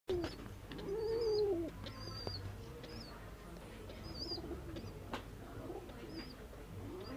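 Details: A mother bird and her young calling back and forth: a low, arched cooing note near the start, then several short, high, wavering chirps scattered through the rest, over a faint background hum.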